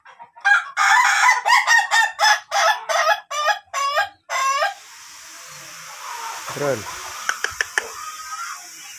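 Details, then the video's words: Ayam Ketawa laughing chicken, long-duration crowing type under training: a short burst of rapid laughing syllables for about four seconds, then steady hiss with a low descending sound and a few faint clicks. "CARA AGAR AYAM KETAWA TYPE DURASI KOKOK PANJANG"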